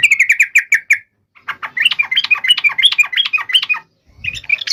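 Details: Rapid rattling notes from a yellow-vented bulbul open this fighting song, used to provoke answers from other bulbuls, followed after a short gap by a longer run of varied bubbly warbling notes.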